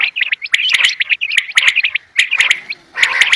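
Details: A quail hunted at evening time calls in quick, high, chirpy bursts that sweep up and down, several overlapping notes about a second apart, with brief pauses between runs.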